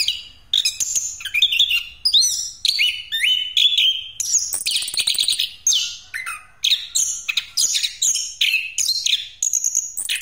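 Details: Orange-headed thrush in nonstop 'ngeroll' rolling song, used as a lure for other birds: rapid, varied high whistles, chattering trills and buzzy phrases at bright pitch, tumbling one into another with barely a pause throughout.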